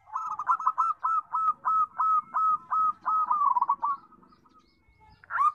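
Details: Local perkutut, or zebra dove, kept for its big, sweet voice, delivering around twelve steady, rhythmic coo notes at an even pitch, fading into near silence, then starting a new loud burst at the end.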